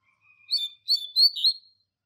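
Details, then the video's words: Tutor song of a Double-collared seedeater in the Tui Tui Zel Zel Clássico style, meant for training young birds: a faint thin lead-in whistle, then four high chirpy notes with a final downward slur. "Tui Tui Zel Zel Clássico Professor Coleiro Mestre No Treinamento e Top Para Encarte!!!"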